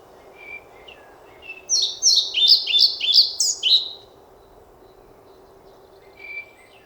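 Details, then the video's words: European pied flycatcher singing: a bright phrase of about seven repeated high, sharply descending notes over two seconds, with soft thin calls before and after against a quiet background. "Мухоловка-пеструшка поёт"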